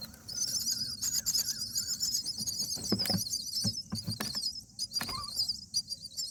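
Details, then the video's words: Common myna parent at the nest on day 8 of feeding chicks, calling its mate out; continuous high chattering, squeaky warbles with repeated clicks and thumps from movement in the nest. "Dad Makes Strange Sound to Get Mom Out"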